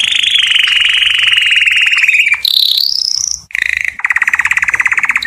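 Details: Singing canary courting females: a long, slightly descending ringing trill, a sudden higher rising tour, then a brief gap before pulsed rattling rolls.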